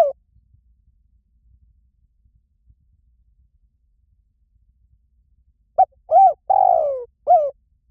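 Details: Spotted dove calling: after long silence, a single phrase of four hooted coos, a short note, a rising-falling coo, a longer drawn-out descending coo and a final coo, in a quiet setting.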